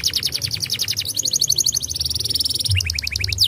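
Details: Canary singing to prompt young canaries to sing: continuous rapid trills of short notes switching between pitches, with a rising slurred note near the end, and a low background hum.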